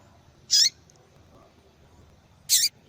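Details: Persistent calls of a female yellow-bellied seedeater: two sharp, high, slightly buzzy chirps about two seconds apart, the second ending in a downward flick, over faint background hiss.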